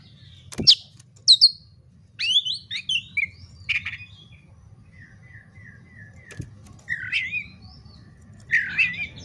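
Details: Oriental magpie-robin singing in fighting mode, used as a lure to provoke other magpie-robins to fight. Varied bursts of sharp, high notes and short whistled phrases with scattered pauses, ending in buzzy chattering notes.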